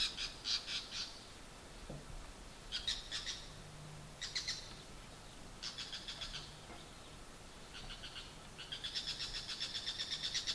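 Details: A male Bull-headed Shrike, perched on a pruned branch near a backyard in Japan, gives a loud territorial morning call at 7:03 am in early November 2014. He utters harsh, high, grating bursts in rapid chattering runs, with pauses between series, over a faint low hum.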